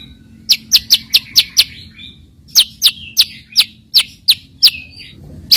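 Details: White-rumped shama filler song used to provoke rivals into singing: crisp, sharp downward-slurred chips given in quick runs of five to six, with short pauses between runs.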